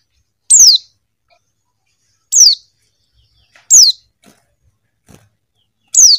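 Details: A female Buxton's white-eye calling to a male gives four thin, high, sharply falling notes, each brief and spaced about one and a half to two seconds apart, against near silence.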